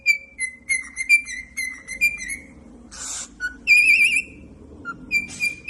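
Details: Pet cockatiel singing indoors: a run of clear whistled notes near one pitch, then a harsh broadband screech, a long wavering warbled whistle and more short whistles, in a quiet small room.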